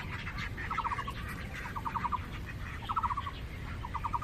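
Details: Quarrelling ducks on the island of Cheng Kung Lake give short bursts of four to five rapid, clipped quacks about once a second over a low, rumbling background.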